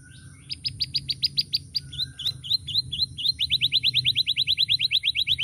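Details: Canary, kept as a loud, varied, melodious singer used to tutor other birds, delivering fast trills of high chirps: an even run of notes, a few slurred downward notes, then a rapid rising trill, with faint low hum beneath.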